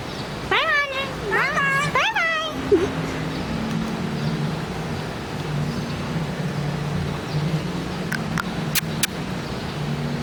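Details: Talking African grey parrot at a hotel in Hawaii: three quick voiced syllables that each rise and fall, then a steady low hum of background noise with a few faint clicks.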